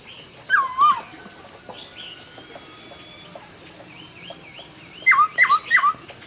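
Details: Laughingthrush singing at dawn: loud downslurred whistles near the start, a soft faint whistled passage, then three quick bright whistled slurs at the end, against quiet background hiss.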